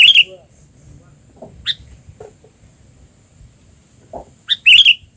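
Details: Tame albino sooty-headed bulbul, caught and trained, now active again in the wild. A bright, twisting chirp opens, then a few soft notes, and a second loud warbled burst of chirps comes at the end, over faint low hum.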